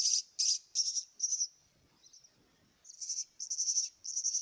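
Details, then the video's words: Fed myna chicks utter loud, rasping, high-pitched begging bursts in quick series, broken by a short pause filled with soft low rustling before the calling resumes. "kasih makan anak burung jalak"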